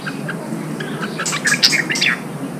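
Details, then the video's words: A freshly caught red-whiskered bulbul is prompted to sing for contest training. After faint notes comes one quick burst of loud chirpy whistles in the second half, over a hissy background. "Kích chào mào bổi hót, kích bổi sổ giọng, luyện chào mào hót đấu"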